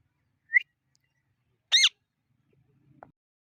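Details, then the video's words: Parrot giving two short, sharp, loud calls: a brief high squeak followed by a harsher, harmonic-rich downward-curving screech, then faint low rustling and a soft click, otherwise quiet. "Natural sound of perrot"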